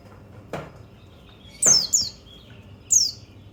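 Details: A few scattered high, downslurred white-eye (pleci) notes follow two dull knocks. The recording is intended to stimulate other birds.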